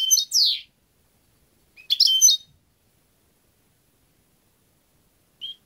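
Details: Two lively bursts of high, jingling twitter from a European goldfinch, the first with a sliding note, followed by silence and a single faint chirp.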